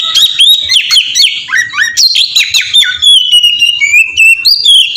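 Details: Oriental magpie-robin song meant as a lure to spur other magpie-robins into singing; dense medley of sweet whistled notes, sharp downslurred chips and rapid trills, ending in clear sustained whistles.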